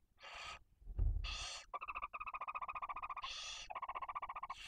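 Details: Barn owls at the nest in Cabañeros National Park, Spain, where the male brings prey to the female and two tiny chicks; breathy hisses alternate with a rapid, steady chittering trill, plus a low thump near the start.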